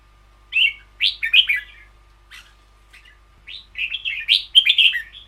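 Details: Song of a caged red-whiskered bulbul in the 'boen yao' (long double) style. Bright fluty phrases of three or four notes, broken by scattered soft chips, then build into a longer, busier warbled run.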